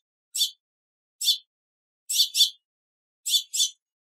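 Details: House finches calling in a backyard give short, harsh, high chirps, sometimes singly and sometimes in quick pairs, about once a second against a quiet background.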